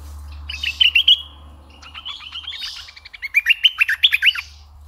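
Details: Decoy red-eyed bulbul singing two bursts of liquid, warbling whistles: a short phrase near the start, then a longer run of quick bright notes climbing and falling over a faint low hum.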